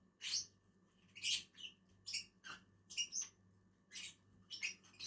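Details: Lovebirds, a pair, calling while they eat on a tree: piercing shrill squeaks, roughly two per second in uneven clusters, above a soft low hum.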